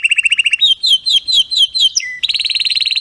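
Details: Canary singing a strong, faultless training song: a quick trill, a series of slurred descending whistles about five per second, a short low tone, then a fast high rattling trill.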